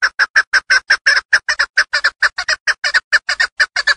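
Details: Rapid rhythmic chucking of a female hunting chukar partridge in Tajikistan's Darvoz district, with harsh clucks, many of them doubled, repeating steadily without pause.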